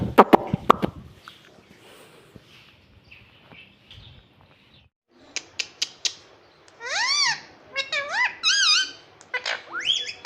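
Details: Indoor pet parrot imitating "mummy" and "papa": after a noisy, tapping start and a quiet stretch, a series of clear, looping harmonic voiced syllables arrives between seven and nine seconds, with sharp clicks around them.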